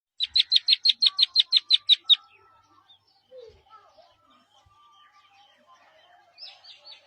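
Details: Young partridge among greenery, giving a rapid run of about eleven sharp, high chirps in two seconds, followed by quieter scattered notes and a short burst of high chirping near the end.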